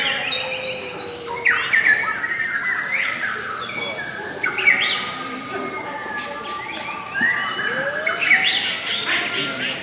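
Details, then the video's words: Lovebirds calling in a long, melodious run: dense overlapping chirps and squeaky rising and falling notes at mid-high pitch, with sharp squawks around the fourth and eighth seconds. "LOVE BIRDS suara yang indah dan Panjang"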